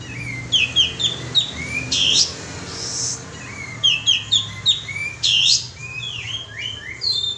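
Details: Kapas tembak bulbul, lure call: groups of quick chirping notes with short pauses between them, mixed with occasional brief rasping bursts.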